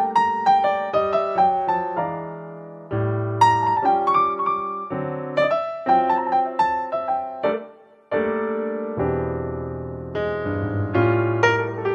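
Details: Solo piano music plays throughout, chords and melody notes in a steady rhythm, with no animal voices heard.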